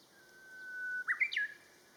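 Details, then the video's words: A Japanese bush warbler (Horornis diphone) sings, holding a long, steady, low whistle, then breaking into a quick, rising, flourished ending, with no other sounds. "ウグイス 囀り 鶯 Japanese bush warbler"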